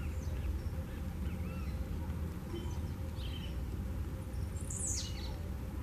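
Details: A blue-black grassquit sings in the wild as it leaps, giving one brief downward buzzy note near the end, with faint other bird notes and low rumbling noise throughout.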